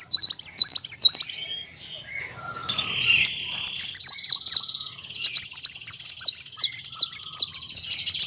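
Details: Tutor recording of a kolibri wulung sunbird for training other birds: fast, high, zigzagging twitters at first, a brief softer, lower passage, then a long string of rapid, sharp, chirping notes.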